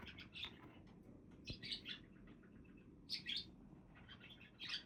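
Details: Budgerigars keep up busy high-pitched chatter, with clusters of bright chirps and squeaky twitters rising above steady low background noise and a single soft click.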